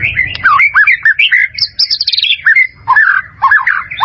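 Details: Loud, rich song of a white-rumped shama used for training caged birds: a continuous run of varied slurred whistles, high rapid trills and swooping notes with hardly a pause.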